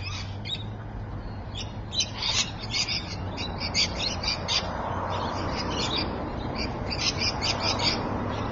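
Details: Dense, shrill screeching from rainbow lorikeets at Evans Head on a May 2012 afternoon: rapid, harsh, overlapping squeals run almost without pause, with steady low background noise.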